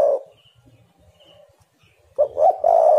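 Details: Spotted dove call for luring: the tail of a loud coo, a quiet gap with faint high chirps from another bird, then two short rising notes and a drawn-out hoarse coo.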